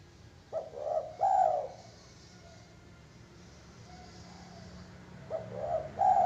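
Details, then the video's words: Zebra dove gives two paired soft coos, then falls quiet for a few seconds before another pair of rounded, slightly wavering coos; a low hum sits underneath. "suara gaib perkutut bikin merinding"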